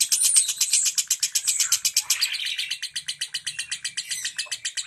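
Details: Lovebird singing in the tight 'ngentik' manner used to get silent birds to join in: shrill rattling notes repeated about four times a second, with a squeaky upward flourish midway.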